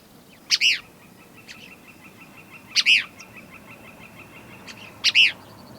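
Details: On an early July morning in Rosebud County, Montana, USA, a Cassin's kingbird calls from a ponderosa pine at the grassland edge: three loud, harsh two-part 'chi-beer' calls about every two seconds, with faint high ticking between.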